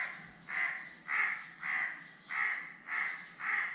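A crow gives six harsh, hoarse caws in steady succession, about one every half second, each a broad rasping burst with no other sounds intruding.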